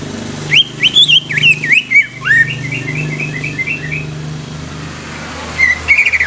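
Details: Young greater green leafbird, used to stimulate other leafbirds, pouring out a fast series of jerky whistled notes that fade into a softer repeated trill, then resume briefly.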